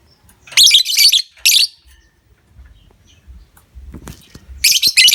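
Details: Lovebird sound used to stimulate other lovebirds into a long ngekek: loud, scratchy, high-pitched chattering in short bursts, two near the start and two at the end, with a quiet stretch of soft clicks between.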